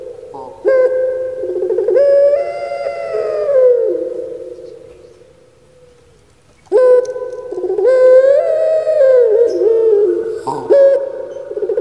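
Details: Domesticated Barbary dove, known in Java as puter pelung, kept as a pet, singing its typical 'kuk gerukkk kwokkk' voice: two long, loud, drawn-out coos with a sharp start, sliding up then wavering down, separated by a quiet pause.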